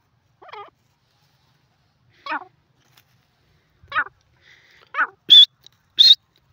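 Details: Teetar (francolin) calls in a quiet setting: several short twisting notes spaced well apart, ending with two sharper, higher squeaky notes in quick succession.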